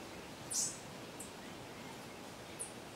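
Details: Cuban bullfinch (Melopyrrha n. nigra) at Cueva de Jabali, Cayo Coco, Cuba, 21 February 2017, gives a thin, very high call note, then two fainter short notes over two seconds against steady background hiss.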